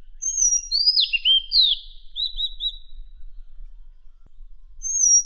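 Madagascar magpie-robin singing clear, high whistles: a sweeping downslurred phrase, then three quick rising notes, with another thin whistle after a pause.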